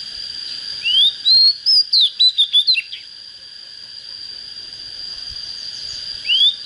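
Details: Oriental magpie-robin, untrained and just coming into breeding fire, sings a two-second phrase of rising whistles and quick descending twittered notes, then is quiet before a new rising whistle begins, over a continuous high whine.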